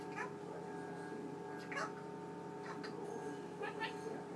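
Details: Male Eclectus parrot kept as a pet, talking at night before being covered for sleep; several brief, quiet, word-like utterances scattered through the clip, with a constant low fridge hum underneath.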